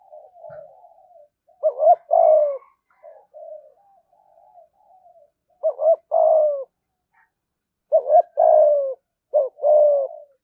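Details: Spotted dove giving a 'thúc gù' coo aimed at drawing rivals in to fight. Quiet murmuring coos at first, then three loud phrases, each a quick doubled note and a longer, softly falling hoot.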